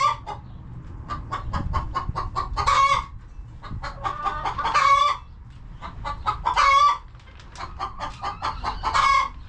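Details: Chickens resting in a cozy coop: repeated cycles of quick clucks building into loud raspy squawks, four such bursts roughly every two seconds, with a faint low rumble behind.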